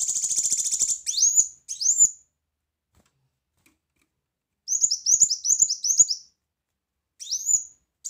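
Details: Kolibri wulung, the brown-throated sunbird, in loud song for tutoring other birds: it opens with a fast buzzy trill, then gives rising whistled notes, a quick burst of sharp high chirps, and more upslurs.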